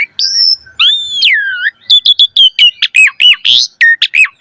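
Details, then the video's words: Asian pied starling song meant to teach caged starlings: a steady high whistle, a long looping slurred whistle, then a lively run of short chirps and downslurs broken by a harsh note. "Suara Jalak Suren Gacor Full Isian Mewah Auto Bongkar Isian Pancingan Burung Jalak Agar Isian Bagus"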